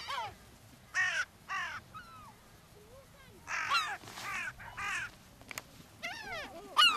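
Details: Gulls being fed on the beach at Brean Sands, Somerset, England, on a spring day in April 2013: loud harsh squealing calls in repeated bursts, several birds calling over one another, with quieter mewing notes between.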